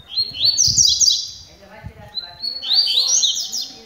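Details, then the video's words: Double-collared seedeaters in song training: two bright, rapid phrases of high twittering and buzzy trills, each opening with a short rising note and ending in fast chattering, with faint low background noise. "COLEIROS DANDO UM TREINO"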